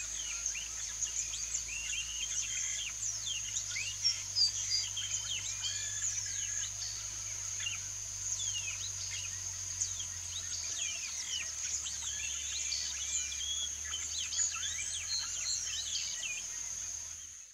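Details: Wild yellow-rumped marshbirds in their natural marsh habitat give a busy stream of short, sharp chirps and slurred notes over a steady insect drone.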